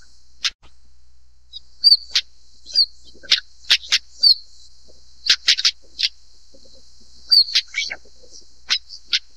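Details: Stonechat (Saxicola torquatus) calling: dry, stone-tapping clicks and thin high whistles, single or in quick doublets, spaced unevenly over about nine seconds against a constant faint high-pitched background hiss.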